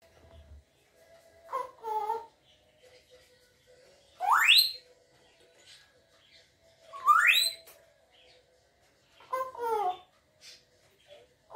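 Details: Grey parrot kept as a pet, making loud rising whistles and short warbling call notes at irregular intervals of about three seconds, with faint low sounds between them in a quiet room.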